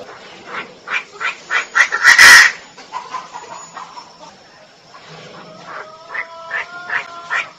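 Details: Female Chinese francolin: a fast train of rough clucking notes builds to one loud, harsh screech. Quieter, evenly paced notes follow, joined by faint tonal whistles.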